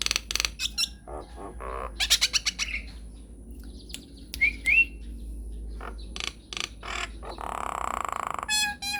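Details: Singing Nias hill myna, long-rolling training recording meant to draw replies: clicking rattles and harsh bursts, a brief pair of upward whistles, scattered knocks, a nasal buzz and a quick trilled flourish to close.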